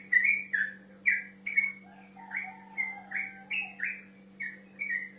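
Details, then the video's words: Yellow-vented bulbul, male, challenging a rival: a run of clear, gurgling whistled notes with one low drawn-out note in the middle, then quick paired phrases; steady background hum. "TRUCUK GACOR NGEROL MEMANGGIL LAWAN"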